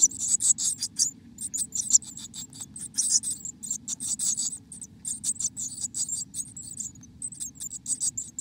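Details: Inside a black-capped chickadee nest in America, long stretches of rapid, very high, raspy chittering repeat almost without pause, rising and falling in loudness, over a low hum.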